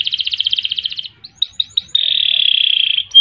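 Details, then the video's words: Canary singing ngerol and ngerek phrases: a quick pulsed rattle, a few short chipped notes, then a long even high trill. "Kenari Gacor Panjang Ngerek Ngerol Nembak"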